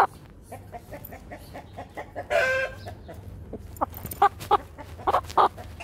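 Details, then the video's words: Brahma rooster during an attack: a steady run of short clucks, about three a second, then a loud harsh squawk, then louder scattered clucking calls. "هجوم ديك البراهما"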